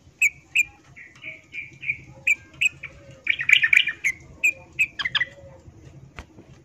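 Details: Female yellow-vented bulbul in breeding condition calling to a male: evenly spaced single chirps about every third of a second, a dense chattering burst in the middle, then scattered notes over a low background hum.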